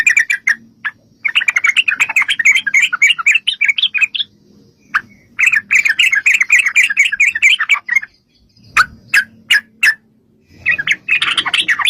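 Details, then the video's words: Energetic yellow-vented bulbul chatter used as a lure to provoke bulbuls into singing back, said to be a female calling a male: dense runs of fast bubbly chirps, broken by short gaps and a few isolated sharp notes. "trucukan gacor TARUNG ROPEL PANJANG pancingan trucukan agar bunyi"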